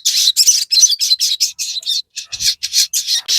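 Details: Crested jay song, played to goad birds into calling back: harsh, buzzy high notes delivered rapidly, about five to six per second, with one short break partway through.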